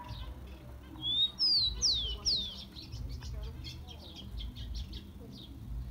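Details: Rufous-collared sparrow (tico-tico) song played to warm up and excite captive birds: a thin whistled note rising slightly, then three high, clear whistles slurring sharply downward, with faint chirps of other small birds afterward.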